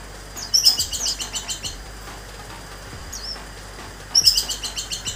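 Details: A captive orange-headed thrush sings two bursts of rapid, high, sharp chattering notes, a second apart, with a lone rising whistle between them.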